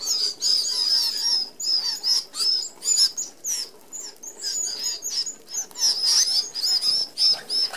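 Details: Feeding flock of Red-browed finches, Australian natives, at an open aviary feeder; dense overlapping high, thin squeaky notes pour out almost continuously, rising and falling slightly, over a whir of wingbeats.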